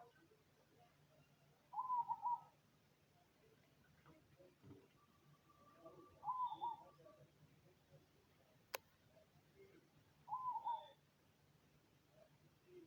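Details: Cemani zebra dove in song (manggung), giving three soft, rolling cooed phrases of several quick notes each, spaced about four seconds apart, over a constant low hum with a sharp click between the second and third phrases.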